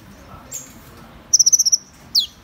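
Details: Van Hasselt's sunbird song: a quick run of seven high, thin, evenly spaced chip notes, then a single sharp downslurred note after a short pause.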